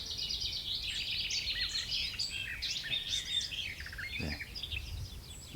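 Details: A Garden Warbler in bramble thickets and overgrown hedgerows, June 2005, pours out a fast, even, bubbling warble that runs on without pause, mellow and mid-pitched, over light outdoor noise.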